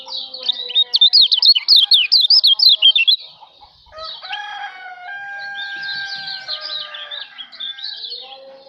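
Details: Kecial, a white-eye of Lombok, sings for birdsong-training use: a long rapid chain of zigzag whistles lasting about three seconds, followed by lower steady tonal notes and another softer burst of fast twittering.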